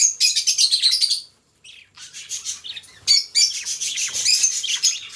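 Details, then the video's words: Pet budgerigars open with a fast run of evenly pulsed buzzy chirps, pause briefly, then resume with a dense, scratchy high warble. "Budgie Sounds: Birds Singing You to Sleep"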